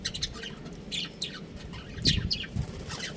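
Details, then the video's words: Budgerigars, a breeding pair, giving soft, high twittering chirps and quick squeaky notes scattered through the recording, set against a steady low rumbling background. "Adorable Budgies Chirping Sounds"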